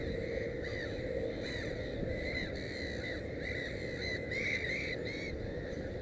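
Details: Black-headed gull at its nest with three chicks: repeated arched, harsh calls, each rising then falling, several in quick succession over steady low rumbling background noise.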